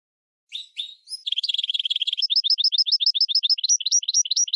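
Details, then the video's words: A goldfinch × red canary hybrid serves as a training tutor. Two squeaky opening notes lead into a fast rhythmic run of repeated two-part chirps, high and evenly paced. "GOLDFINCH x RED CANARY (Hybrid Bird) The Best Teacher for Training"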